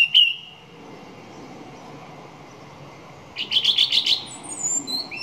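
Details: Song thrush gives a single sharp whistled note, then after a long quiet stretch a rapid burst of about six repeated chipping notes and a faint high tail.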